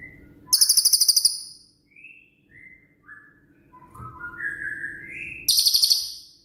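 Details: Cililin 'tembakan' song, used to tutor songbirds: a loud high rattle of quick pulses, then a string of varied whistled notes climbing in steps, and a second rattling burst to close, over faint hum.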